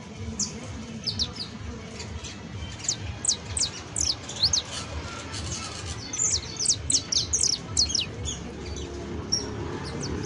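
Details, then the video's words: Saffron finch, locally called canario basto or criollo, giving a professional-style song: sharp high chirps sweeping downward, sparse at first, then quick clustered runs between six and eight seconds, over a low steady background rumble. "CANTO PROFESIONAL DE CANARIO BASTO"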